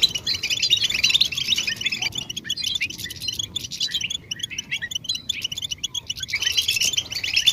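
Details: European goldfinch mating calls played to draw a silent male into song: bursts of high, rapid twittering open and close the passage, with sparser scattered chirps in a quieter middle section.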